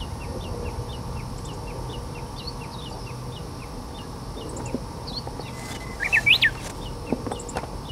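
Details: A wild Japanese bush warbler, seldom seen, sings perched at the tip of a dead branch. A long steady whistle leads into a loud rising-and-falling flourish, over a background of repeated high chip notes from another bird and a low hum.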